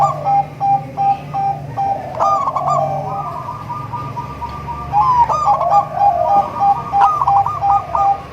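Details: Zebra dove of a local and Bangkok cross, singing the melodious song meant to attract other zebra doves: fast, rolling cooing phrases of soft, slightly buzzy notes repeated in quick runs, with a brief lull midway.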